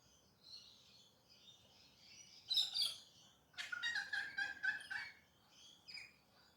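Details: Early-morning galahs in urban Perth, Western Australia: soft distant chatter, then a loud harsh screech, followed by a rapid stuttering burst of four or five grating notes and a fainter trailing call.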